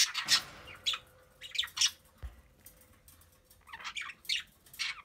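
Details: Budgerigars chewing on a mineral block give short, harsh, scratchy chirps and squawks in scattered bursts, with a soft thump midway.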